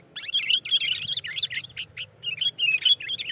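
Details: Energetic sooty-headed bulbul lure call for trapping: a dense, continuous chatter of bright, liquid chirps tumbling over one another with barely any gap, over a faint low hum.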